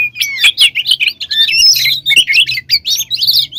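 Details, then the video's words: Kacer in full, vigorous song meant to excite rival magpie-robins: a steady, busy stream of short bright chirps and looping whistles over a low background hum. "Suara Burung Kacer Gacor Full Isian, Pancingan Kacer Gacor Agar Cepat Emosi"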